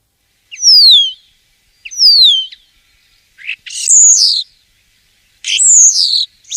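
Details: Common starling giving clear, high descending whistles twice, then two louder, harsher slurred whistled notes.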